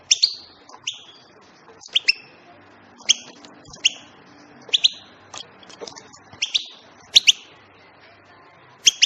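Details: European goldfinch calling with crisp, high twittering notes, often paired, repeated roughly every second over nine seconds, with a quiet background.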